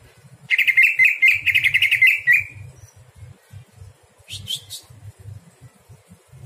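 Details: Greater green leafbird at night, sung as tutor material for other songbirds: a fast, buzzy chattering trill held for about two seconds, then silence and a brief flurry of high, thin notes.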